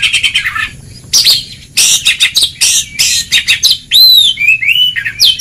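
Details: Ngeplong-style Oriental magpie-robin training song for stirring a reluctant bird to sing: loud harsh, buzzy bursts in quick succession, closing with clear, arching whistles that rise and fall.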